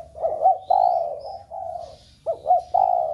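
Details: Stimulating coo of a spotted dove aimed at a flock of doves kept at home: paired looping notes then a strong low coo, repeated twice, over faint high chirps.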